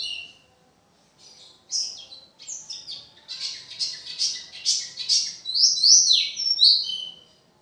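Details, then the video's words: Oriental white-eye in full song, readied for a bird-singing competition: after a brief pause, bursts of high chattering twitters build into quick slurred whistles and downward-sweeping notes, delivered rapidly with short gaps. "Burung pleci gacoor full materi"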